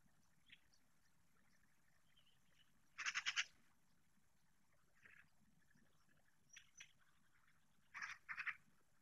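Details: Young long-eared owls in Spain, live-streamed on 16 July 2024: harsh, hissing rasps, a loud cluster near three seconds and a pair near eight seconds, with fainter scattered squeaks between, in a quiet night setting.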